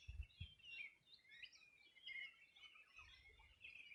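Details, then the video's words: Riverside birdsong from the Rio Bueno, Region de los Rios, on a summer morning in 2020: continuous high chirping and short trilled notes from several birds, with a few dull low thumps at the start and near the end. "Sonido de las aves a orilla del Rio Bueno"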